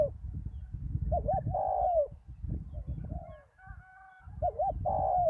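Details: Decoy spotted dove at a ground arena after a storm, calling with two short looping coos then a drawn-out falling coo, repeated twice over steady low wind-like rumble.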